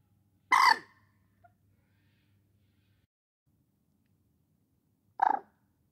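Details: Common moorhen (Gallinula chloropus) giving two loud, harsh, explosive croaking calls about four and a half seconds apart, each brief and rasping, with near silence between and a faint low hum early on.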